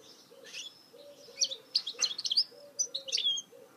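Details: Goldfinch mule song: a lively, fast run of sharp chirps and twittering trills with bright whistled slurs, loud and close. A soft, low, regular cooing pulses underneath.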